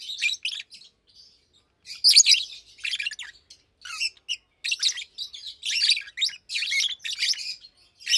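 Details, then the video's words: Adult pair of Fischer's lovebirds, one pastel green with orange face, one blue with white head, chirping in daytime: scratchy high twitters in irregular bursts, busier toward the end. "Lovebirds Chirping, Lovebirds Singing - Two Agapornis Fischeri"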